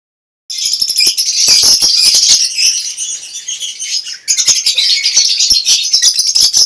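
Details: Lovebirds kept in a colony breeding cage: a dense, continuous chorus of high, shrill chattering and squeaking from many birds, briefly dipping before resuming, with scattered clicks and flutters.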